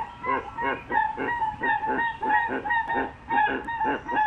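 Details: Crested guan calling, a series of loud nasal honks repeated about every quarter second, overlapping and echoing, with a lower arched tone beneath the main notes.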